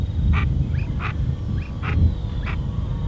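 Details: A Brazilian teal gives short, nasal, mid-pitched calls about every three-quarters of a second, with softer notes between, over a steady low rumble.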